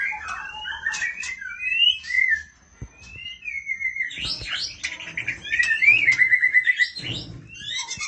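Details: Female oriental magpie-robin calls out to the male with looping whistled slurs, a brief pause, then a lively stretch of rapid chattering notes, a rising whistle and scratchy clicks.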